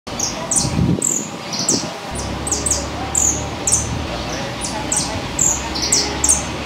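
A saffron finch sings a run of short, bright, high chirps, two or three a second, over a low background rumble.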